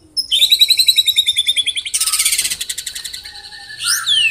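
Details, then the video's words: White-rumped shama in a dense 'tembakan rapat' (rapid-fire) song style: long, slightly falling whistled notes with bright overtones, then an abrupt fast buzzy rattle that fades out, closing on sharp sweeping notes. "Tembakan Rapat Burung Murai Batu"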